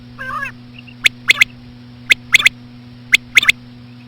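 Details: Female common quail sounds, slowed, used to lure quail. A short nasal rasp opens, then three groups of sharp, high clicks in twos and threes follow about a second apart. A steady low hum runs underneath.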